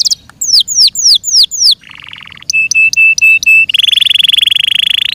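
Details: Yorkshire canary kept as a pet sings falling whistled sweeps, a brief low rattle, six evenly spaced clear piping notes, then a long rolling, sustained high trill.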